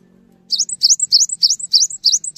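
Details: Cinereous tit singing energetically to stimulate others to sing: crisp, rising high notes, each followed by a brief trill, repeated about six times in quick succession after a low hum fades.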